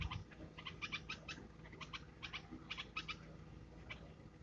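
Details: Red-vented bulbul hatchlings in a domestic environment produce faint, short clusters of high chirps, spaced irregularly over a quiet background.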